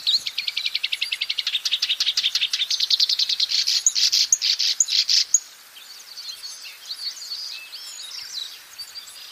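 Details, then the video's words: Black-browed reed warbler in the wild delivering a lively song: a fast, evenly pulsed trill of sharp high notes for five seconds, then abruptly giving way to faint scattered chirps against quiet background. "Burung kerakbasi alis hitam gacor di alam bebas"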